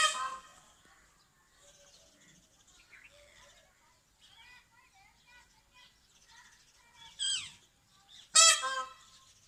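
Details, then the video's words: Angry peacock calling: a loud harsh harmonic-rich cry at the start, then softer chattering and chirps, and two more loud strident blasts near the end. "Angry peacock call"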